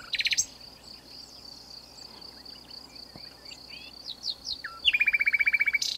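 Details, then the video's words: Wild common nightingale hidden in a bush in southern France, singing for nearly two hours: a loud burst of rapid notes opens, soft scattered whistled phrases follow, then a fast, evenly repeated rattle of bright notes closes the phrase. "Nightingale Heard In South Of France"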